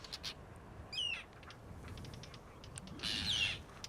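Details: Arctic tern, a species that nests in the Arctic each year and winters in Antarctica. Faint, distant recording with two harsh, high descending cries about two seconds apart, plus scattered clicks.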